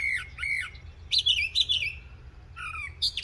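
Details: Mockingbird in Coles County, Illinois, on an April morning, switching between slurred whistled notes, harsh squawky bursts and rising-falling phrases, with steady low background noise.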